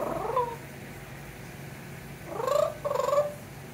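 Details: Pet parrot on a screened porch in Florida singing and trilling to imitate its owner: a short warbled phrase, a pause, then two wavering trilled notes rising and falling.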